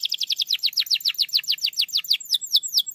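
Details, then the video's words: A canary sings a rapid series of arched downward notes that slows steadily and ends in a few swooping whistles. The song serves as a lure to get a quiet canary to sing. "PANCINGAN KENARI MALAS BUNYI"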